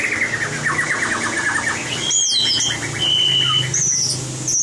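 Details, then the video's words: White-rumped shama competition singing for voice training: a quick trilled run of repeated notes, then piercing high whistles, some held flat and some rising sharply. "Luyện giọng chòe lửa - luyện chòe lửa hót đấu (murai batu)"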